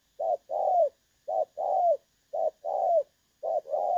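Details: Spotted dove recorded as a trapping decoy on 16 August 2024, praised for its clear "đồng son" voice; four paired phrases, a short coo then a longer coo that dips downward at its close.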